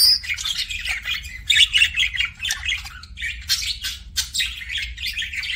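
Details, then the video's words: Budgerigar kept as a pet giving kissing sounds, a steady stream of fast, scratchy clicks and chirpy warbles with a few thin whistled notes, over a quiet low background hum. "BUDGIE KISSING SOUNDS"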